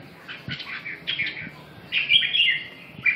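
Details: Red-whiskered bulbul uttering short warbled notes, then a louder, sustained chattering whistle toward the end, with faint low taps in the background.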